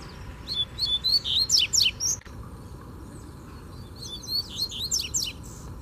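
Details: Wild free-flying Double-collared Seedeater (coleiro) in Brazil comes in hard to challenge a caged male. Two rapid song bursts of sharp rising and falling whistled notes and steep buzzy sweeps, separated by a short pause, over low steady background rumble.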